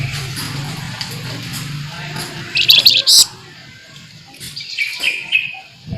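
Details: Full sharp nyerecet song of a scarlet minivet: a couple of loud, shrill high bursts near the middle, then softer descending whistled notes, all above a low droning hum.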